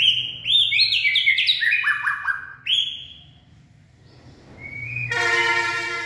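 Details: White-rumped shama, described as purebred, singing late in the afternoon on 18 February 2024: a rapid string of descending whistled notes, a single clear note after a pause, then a harsh buzzy sound with many layered tones.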